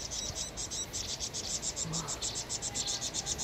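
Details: Distress cries of vinous-throated parrotbill attacked by a Eurasian jay, a dense run of shrill clipped notes repeated nearly four times a second with little pause.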